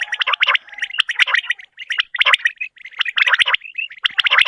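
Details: Quails calling in the morning, recorded for use in hunting: dense, overlapping chirpy bursts in quick succession, gurgling and warbling notes, about one burst each second, with no other clear sounds.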